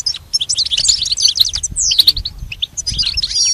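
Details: Short burst of goldfinch song meant to teach a pet goldfinch: a quick, bright jumble of high chirps, a downward-swooping note near the middle, then more twittering notes.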